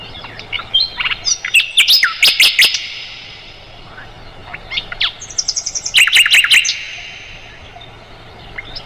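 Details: Mugimaki flycatcher singing, offered as tutor song for roll-type songbirds like the white-rumped shama: scattered high twitters, then bursts of sharp, clipped, high notes, a thin piping phrase, and another quick volley of sharp notes.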